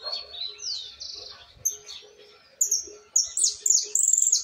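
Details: Fledgling Argentine white goldfinch working on its song. Sweeping high whistles and a buzzy note open the run, and after a pause come loud, very high trills in quick succession. A few soft low knocks sound in the background.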